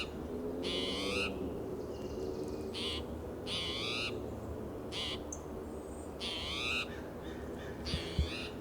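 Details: ['Agitated spotted towhee in territorial mood, calling among lichen-covered live oak and Monterey pine in coastal California in June: loud, drawn-out buzzy mews about every one and a half seconds, softer faint notes between, low background rumble.']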